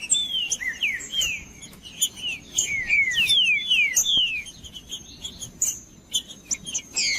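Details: Green-winged saltator song for warming up a caged bird: rich whistled slurred notes tumble in a fast series, then the phrases fade into scattered short chirps, with a faint continuous high tone.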